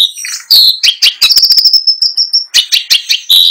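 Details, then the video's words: A long-tailed shrike, a trophy-winning competition bird now deceased, sings a fast, rolling medley full of mimicked song, with harsh chatter, clicks and a sustained high trill, and sharp scratchy notes in quick succession. "PENTET GACOR FULL ISIAN | LAGU MEWAH | NGEROLL NONSTOP"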